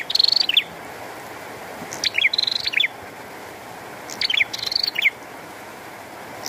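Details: Bar-winged prinia singing actively in rain: three loud high chirping phrases about two seconds apart, each a steady whistled note followed by quick sharp descending chips, over a constant hiss of falling rain.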